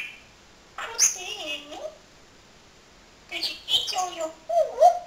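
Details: Male pet parrot, a skilled talker that copies a friend's cat's name, voicing two phrases of clear speech-like syllables with gliding tones and a high squeak at the end, indoors.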